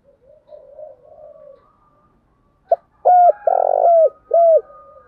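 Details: Spotted dove cooing in the Đồng Thổ voice to prompt a rival male to call: low murmuring, then a click, a hollow coo, an extended vibrating note and a last downslurred coo, with a faint steady tone behind.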